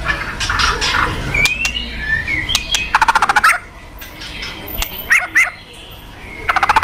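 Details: White-rumped shama, fighter type, giving kretekan rattles to provoke aggression: rapid trains of dry, clicking pulses in short bursts, mixed with a few thin whistles and background hiss.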